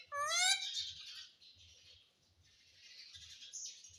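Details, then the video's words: Pet rose-ringed parakeet, a talking green ringneck trained to say "mummy": opens with a loud, harmonic, wavering squawk-like word, then quieter hissy trailing sounds, over soft background music with low thumping beats. "Mummy bolne wala tota"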